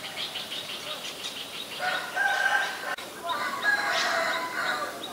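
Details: Black-collared starling recorded in Ubon Ratchathani, Thailand, on 17 April 2022; harsh, rasping chattering notes with bright squeaky whistles, a run of short repeated notes early on, then louder grating phrases.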